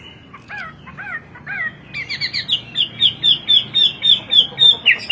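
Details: Singing Hwamei, a Chinese native imported to Indonesia for its sweet, varied voice, in 'kowor kowor' style: a few falling slurred whistles followed by an accelerating string of crisp, repeated high notes.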